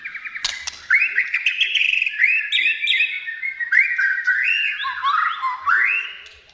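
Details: White-rumped shama song to stir captive shamas into singing: after a sharp click, a flowing sequence of loud whistled phrases, rising and falling slurs linked into a steady rich warble.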